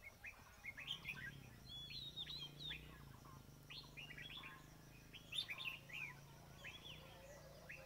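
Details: Red-whiskered bulbul calls during trapping: clear, sweet chirped notes in short phrases, sharp upward and downward slurs repeating in groups, with a soft low hum beneath.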